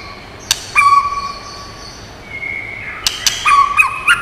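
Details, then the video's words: White-rumped shama recorded for training and stimulating birds: long level whistled tones with gaps, then a brief burst of sharp clicks and short whistled phrases near the end. "Chòe Lửa Hót Nhiều Giọng, Luyện Chòe Lửa Hót Căng"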